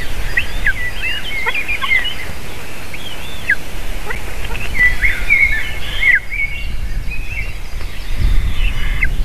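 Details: Female eagle calling on landing while eaglets cry before a feeding, 7 June 2023, late afternoon: bursts of sharp, high whistled notes and short squealing slurs, repeated through the stretch, with steady low wind noise beneath.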